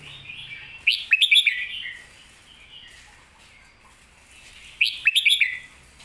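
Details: Red-whiskered bulbul repeating its 'master song' (pleng mae bot) phrase twice, about four seconds apart: each a burst of four or five quick, clear, rising whistles, separated by near silence.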